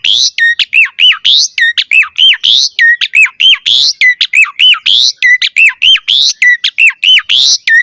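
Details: Asian pied starling in a busy lure recording, delivering a steady, rapid string of arched whistled notes, each followed by a sharp high click, repeated nearly nonstop.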